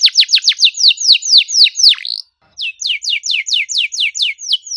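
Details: Canary used as a lure for silent birds, singing fast dense 'cuit cuit' notes: rapid repeated downward-sweeping whistles, about four per second, with a short pause midway, then the series resumes.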